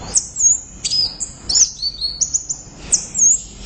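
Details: Loud song of an orange-headed thrush, likely a kept bird: bright high whistles and slurred notes, with quick sharp downward sweeps every second or so between rambling phrases.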